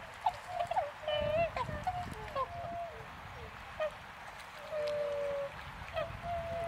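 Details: A flock of tundra swans wintering at Azumino, Japan, where snow lingers, recorded at -4°C under cloud: scattered honks and drawn-out nasal notes, some overlapping, with low background rumble.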